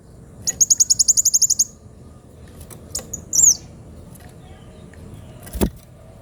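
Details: Kolibri wulung sunbird, sharp-voiced and vocal: a quick even trill of about twelve very high notes, then scattered clicks and a single high slurred whistle, followed by a sharp knock.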